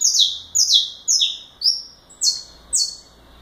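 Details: Saffron finch in galador song, loud high chips that slide steeply downward, delivered in a lively string of six at roughly two per second.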